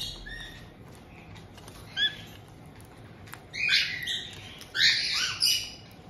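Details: Captive white-bellied caiques in Hokkaido's Tokachi area, Japan, 18 June 2023, as an established pair welcomes a young newcomer of about two months; a few short chirps, then loud, harsh squawks in bursts toward the end.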